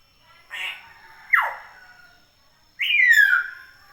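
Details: Three loud calls from a Common hill myna, chattering actively in natural conditions: a harsh burst, a sharply dropping whistle, then a long clear whistle sliding downward, with a thin steady background tone.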